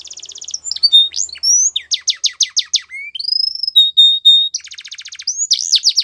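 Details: Song of a Belgian canary used to train young canaries: short rolling trills, a series of sharp chips, a steady rising whistle and a level held note, then another trill and swooping notes.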